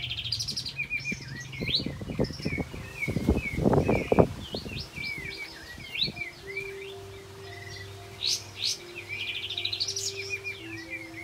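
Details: Continuous high, twittering song of an olive-backed white-eye, played as a lure for other white-eyes that have stopped singing; quick slurred whistles and trills, with thuds and rustling, then a steady low hum.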